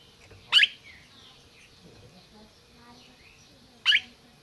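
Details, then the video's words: Red-crested cardinal calling in captivity in Brazil: two sharp, abrupt chip notes about three seconds apart over a low steady background hum with faint whistles. "Cardeal MAQUINA chamando e cantando"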